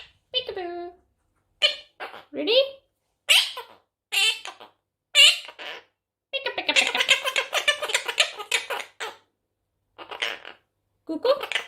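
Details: A monk parakeet playing peekaboo chatters in short, bright bursts of mimicked speech and squawky notes, pausing between phrases, with a person's voice and laughter nearby.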